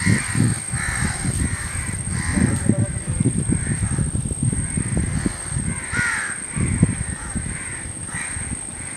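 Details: A crow perched in a tree gives harsh, hoarse caws roughly once a second, over a heavy low rumble of wind or handling noise and a faint steady high whine.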